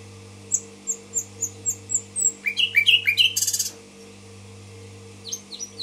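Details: A Tashkent common nightingale opens with a slow series of repeated high whistled pips, breaks into fast descending chirps and a dry buzzy burst, then falls quiet. Steady mechanical hum underneath.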